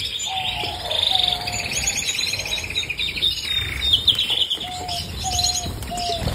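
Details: Canary singing a continuous, busy song of high rapid trills and rolling notes, with separate lower, drawn-out whistles repeated several times through the recording.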